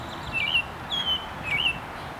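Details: An American robin in Huntington Central Park, Huntington Beach, Orange County, California sings three short, clear whistled phrases, rising and falling, about half a second apart, over a soft steady background hiss.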